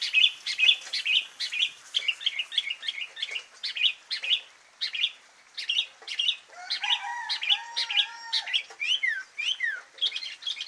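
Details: Steady, busy run of sharp, high chirps from a sooty-headed bulbul in isian style, about two per second, with a lower drawn-out whistle midway and quick slurred notes near the end.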